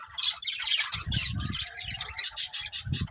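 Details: Pet budgerigars chattering in quick, harsh high chirps and squawky notes, fairly continuous, with low thudding sounds underneath.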